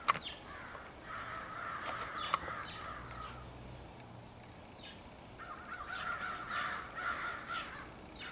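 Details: Crows of a large extended group, possibly choosing mates, recorded on 4 April 2015; a dense chorus of harsh, overlapping caws in two bursts separated by a quieter stretch, with many birds calling at once.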